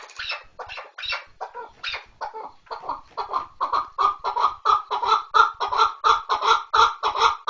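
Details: Chukar partridge giving a rhythmic chuckling series of harsh, broadband notes, about one and a half per second. The notes grow steadily louder and more evenly spaced toward the end.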